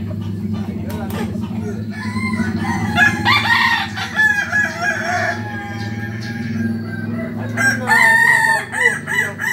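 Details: Kukuak Balenggek roosters, a chicken endemic to Solok, West Sumatra, at a group practice event: repeated harmonic, stepped crows in two bursts, against a steady low hum and background clatter.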